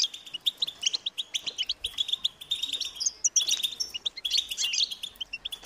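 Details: High-pitched, insistent begging from European goldfinch chicks calling to be fed, a busy stream of quick tweets and scratchy twitters from several overlapping voices without pause.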